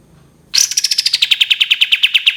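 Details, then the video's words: A cream-vented bulbul opens a 'tembakan' volley with a high sliding note, then a fast, regular string of crisp chips that drops slightly in pitch and keeps going to the end. "KAPAS TEMBAK TEMBAKAN PANJANG"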